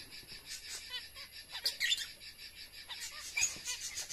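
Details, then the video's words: Lovebirds while eating: thin high chirps and short squeaky notes scattered irregularly, some rising and falling, with a faint steady background hum. "love Bird"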